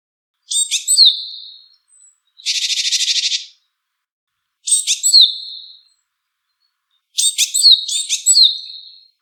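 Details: Japanese tit calling, three short phrases each starting with sharp high notes then a descending buzzy trailing note, plus one harsh rasping buzz between them; quiet background otherwise.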